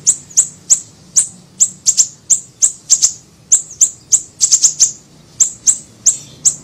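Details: Small siri-siri bird calling for a lure recording: brisk, evenly spaced needle-thin chips, very high, occasionally bunched into fast triplets, continuing throughout.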